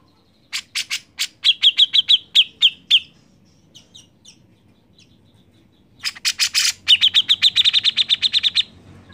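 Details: Grey-cheeked bulbul in lively full song, used as a lure to prompt other birds to sing: bursts of rapid, chattering notes with bright twittering trills, two phrases separated by a short pause.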